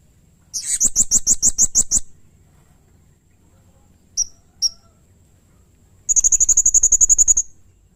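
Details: Blue-crowned hanging parrot (serindit) singing as a master and prompt recording: a burst of about eight loud, harsh, high pulsed notes, two lone sharp chirps, then a long rapid trill of thin piercing notes.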